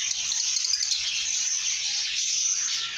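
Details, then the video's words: A few seconds of cheerful lovebird chatter, dense shrill chirps running together without a break, over faint low background noise. "lovebirds singing & chirping sounds"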